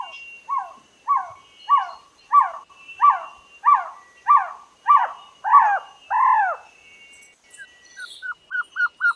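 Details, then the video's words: Trogon calling a slower series of about ten rising-and-falling hooked notes, roughly one every half second, that grow louder and longer toward the end; a short, quick run of small, higher notes follows. "THE BEST TROGON SOUNDS COMPILATION"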